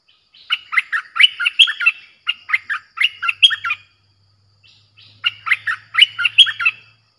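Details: Streak-eared bulbul giving a fierce song played to attract wild birds: runs of rapid chattering, jerky notes in several phrases, a pause of over a second, then another lively chattering phrase, with a faint low hum.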